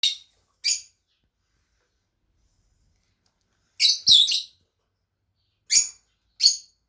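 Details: Two pet Fischer's lovebirds giving short, sharp, high chirps in scattered bursts: two near the start, then a tight cluster of three mid-way and two more toward the end, with silence between.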